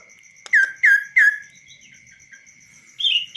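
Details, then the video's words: Kaso-kaso bird, tame and perched on a hand with no cage, sings three loud downward-slurred whistles about a third of a second apart, then a higher wavering phrase, with a continuous faint ticking behind. "BURUNG KASO KASO GACOR DI TANGAN TANPA SANGKAR"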